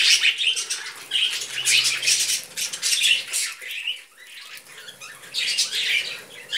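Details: Budgerigars feeding on vegetables give loud scratchy chattering bursts with thin whistled squeaks, fading to a quieter stretch midway, then resuming with another burst near the end.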